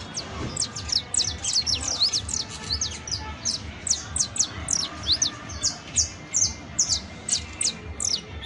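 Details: Canario criollo, the saffron finch, pouring out a long, dense professional song of high, rapid downslurred chirps, almost continuous and evenly paced for over eight seconds.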